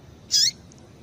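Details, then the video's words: Single short, piercing, high chirp with a slight downward slide from a female double-collared seedeater calling to stimulate a male, followed by two tiny faint ticks. "Fêmea de Papa Capim Chamando para Esquentar Macho"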